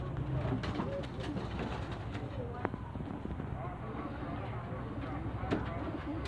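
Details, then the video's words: Homing pigeons kept in Şanlıurfa, Turkey, recorded 19 October 2018; low, soft cooing runs under people talking nearby, with scattered clicks and knocks. "Posta Güvercinleri"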